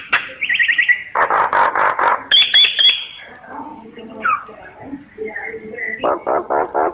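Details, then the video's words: Pet myna kept as a cage bird, giving a varied run of harsh chattering bursts, rapid trilled notes, a few whistles and low gurgling, loud phrases every second or so. "Tiếng chim Sáo hót giọng chuẩn hay"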